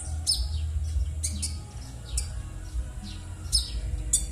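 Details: A konin bird's rough call, meant as a lure to prompt silent birds into song; about five high, scratchy downslurred notes spaced roughly a second apart, low hum beneath.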